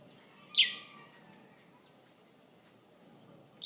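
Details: A bird outside a bedroom window in Conakry, which sang there every morning, gives a loud, sharp high chirp, then another about three seconds later, over quiet background hiss.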